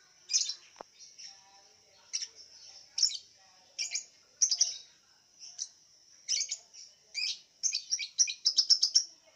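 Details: Caged contest lovebird from Singkawang, West Kalimantan, Indonesia, singing in an online singing contest: sharp high chirps scattered at first, then quickening into a rapid run of bright clipped notes at the end, over a steady high hiss.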